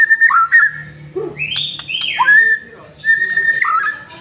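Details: White-rumped shama lure song: rich varied whistled phrases, some sliding up and down, with sharp clicks and a steady high whistle toward the end, over low background hum.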